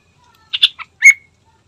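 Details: Sooty-headed bulbul singing vigorously, played as a lure to get another bird to sing quickly. A fast burst of three chirpy notes is followed by one brighter, sharp whistled note, then quiet.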